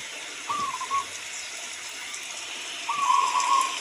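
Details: A local zebra dove gives two trilled cooing phrases over constant rain. The first phrase is short and softer. The second, after a two-second pause, is longer and louder, with an even, bubbling texture.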